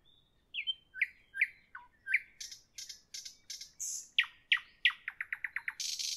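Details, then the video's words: Evening song of a nightingale: slurred whistles, scattered sharp clicks and chirps, then an accelerating series of rapid repeated notes ending in a buzz. "Evening nightingale, nightingale song, nightingale"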